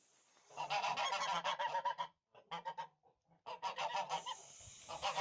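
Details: Russian Tula fighting goose, a domestic fighting breed: clamorous nasal honking in quick bursts, broken by brief silences, then resuming in a dense chorus of several birds.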